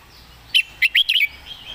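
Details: Red-whiskered bulbul tutor bird with clear, well-phrased delivery: one sharp note, a pause, then three or four rapid, loud, warbling notes in a lively phrase over faint background chirps.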